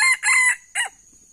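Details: A wild male Sumatran red junglefowl (Gallus gallus), one of two approaching a decoy in traditional lure trapping, crows: three harsh, ringing bursts in under a second, the middle longest and the last cut off abruptly.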